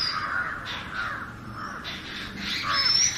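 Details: Natural singing by an Oriental magpie-robin: rich warbled phrases broken by short harsh rasping notes, closing with a rising high whistle, over faint background rumble.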